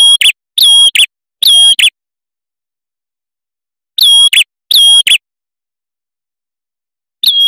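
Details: Male red-headed prinia song used as a lure and tutor recording, in sharp, high, ringing bursts, each under half a second, given in quick pairs and triplets with long silent gaps.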